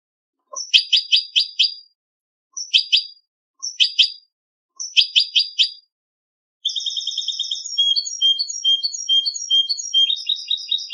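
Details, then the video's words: European goldfinch singing for a song contest: short bursts of bright, tinkling notes at first, separated by pauses, then a continuous fast twittering run of repeated high chips and trills. No other sounds. "cd concurso jilguero"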